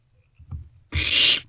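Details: Barn owl chick in an owl box at night, sharing a meal with a sibling; soft low shuffling followed by a single long, harsh hissing screech.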